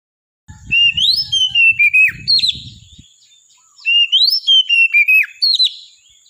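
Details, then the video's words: Oriental magpie-robin in full song: loud clear whistled phrases, each rising then gliding down through several notes with sharp downward flicks, the phrase repeated twice with a pause between, a steady thin high tone behind and soft low knocks early on. "KACER GACOR"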